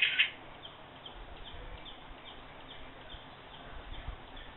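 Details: Blue-tailed bee-eater in Kuala Lumpur, dated 04/12/11, gives one short, bright rolling call, then fainter chirps repeat softly over a quiet, hissy background.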